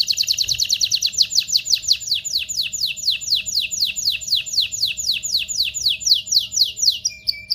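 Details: Vigorous canary song to excite males and females for mating: a long series of fast downward-sweeping buzzy notes repeated evenly about four per second, ending in a brief low whistle.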